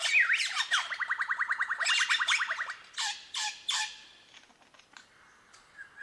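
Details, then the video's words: Superb lyrebird singing in mimicry: a sliding squeal, then a rapid even run of about twenty ticking notes, followed by loud harsh bursts and fading whistles. "La Ave de las 1000 voces Menura novaehollandiae"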